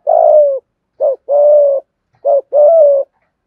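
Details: Low, mellow coos of a spotted dove in the 'giọng hạp bổi' calling style, used to stimulate other doves: a long coo opens, then two pairs of a short clipped note and a drawn-out level coo.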